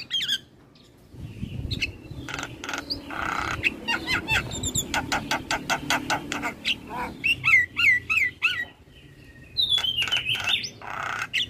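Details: Head-bobbing Javan myna in full song, recorded to teach other birds: fast rattling series of dry clicks and harsh chatters, then looping whistled slurs and bright chirps, with brief quiet pauses between bursts.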